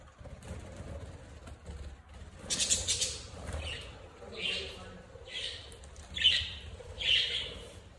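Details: Several budgerigars exploring indoors in the evening give scratchy, buzzy chirps in short bursts about once a second over a low indoor hum.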